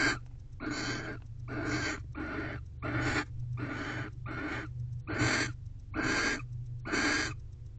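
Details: Barn owls in a nest box at 9:50 pm, 28 December 2023, the female awaiting mating as the male guards the door; harsh, wheezy hiss-screeches about a second apart, roughly seventy a minute, over a constant low hum.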